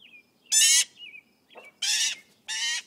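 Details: Friendly young magpie fledgling begging for food in the morning, giving three harsh, buzzy screeches rich in harmonics, each about a quarter second long, separated by faint thin squeaky notes.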